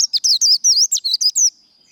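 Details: Japanese white-eye giving a líu fighting song, the rapid contest style its keepers train and fire up: eight quick, high, slurred whistles in about one and a half seconds, each note swooping down then up, ending in a faint steady tone.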